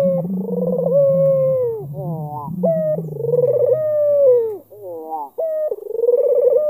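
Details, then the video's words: Albino black-collared Barbary dove cooing to provoke a rival into answering: a rolling, pulsed note slides into a long smooth tone that falls at the end, repeated with a steady low hum beneath. "PUTER ALBINO KALUNG HITAM MANCING LAWAN BUNYI"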